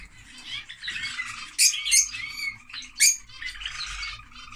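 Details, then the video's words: Several sharp, piercing squawks cut through continuous raspy, high-pitched twittering from noisy lovebirds, with a low hum faintly in the background. "Love Bird singing (Lovebird)"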